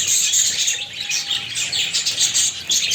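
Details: Close-up of pet parakeets (budgies) producing loud, unbroken high-pitched twittering and scratchy chirps, many notes overlapping in a lively chorus.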